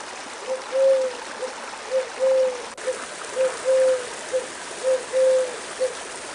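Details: Wild pigeon cooing in nature: low, soft, steady-pitched notes in short-long-short phrases, repeated about every second and a half over a constant rushing, water-like hiss.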